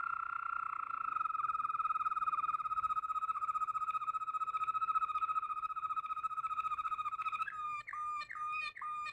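A Waterslager canary sings a long, deep, water-like rolling trill, steady for about seven seconds, then breaks into a few quick bubbling notes.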